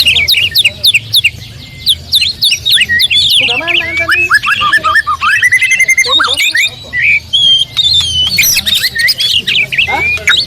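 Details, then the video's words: Oriental magpie-robin singing actively: a rich, varied run of clear whistled notes, rising and falling slurs and quick chirps, densely packed with brief pauses, plus some harsher squawky notes in the middle. "Suara kicau burung kacer"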